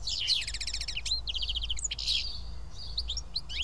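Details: House sparrows gathered to feed at Karyotissa, Greece; quick runs of evenly repeated chirps form short rattling series, mixed with single tweets, over a noticeable low rumble.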